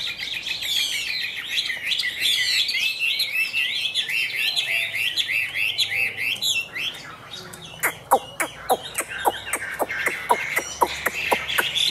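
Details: Caged Chinese hwamei, Tam Hoàng type, pours out a rapid rolling chain of high whistled notes for seven seconds, then switches to a steady series of sharp dry clicks at about two per second.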